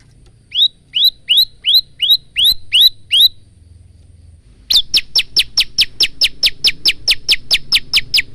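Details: Male bar-winged prinia in full song, recorded on a phone: a row of rising-then-falling chirps at a steady pace, a short pause, then a faster run of sharp downward-sweeping notes repeated about three times a second.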